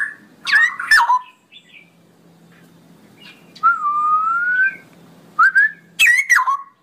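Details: Straw-headed bulbul, ropelan song style: two loud gurgling bursts, then a long, slightly rising clear whistle, and finally more sharp bubbly phrases separated by quiet gaps.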